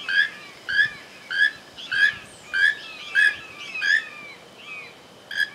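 Keel-billed toucan repeating rough, croaking notes about every half second in a steady rhythm, with a few thin whistled notes woven between them.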